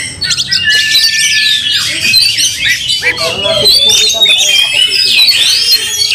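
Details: Angry, fighting Oriental magpie-robin with its tail opened, a display meant to make rival magpie-robins fiercer: a continuous jumble of bright whistles, rasping squawks and quick trills, with one long steady whistle near the start.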